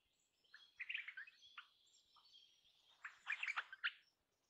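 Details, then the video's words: A Crimson Rosella, recorded 21 May 2015 at 7:45, gives two bursts of quick, bright chattering notes, high and slightly harsh, about a second apart, with a few softer single chirps between. "Crimson Rosella Call. Crimson Rosella Sounds. Crimson Rosella Song. Crimson Rosella Noise."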